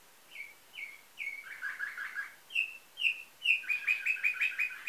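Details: Canary trained to nightingale-type song, Varna, Bulgaria, 2013: slurred downward whistles alternating with buzzy trills, then a rapid rolling trill; faint background hiss.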